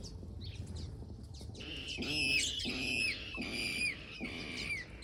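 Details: Water rails in an aviary call during courtship display, giving harsh, squealing calls in a run of rough bursts, about one every second, over a murmur of other aviary birds.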